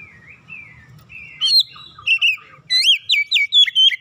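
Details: Household Oriental magpie-robin bursting into full song on hearing another bird. Scattered thin whistles are followed by loud, clear slurred notes, then a quick series of bright upward-sweeping whistles repeated several times a second.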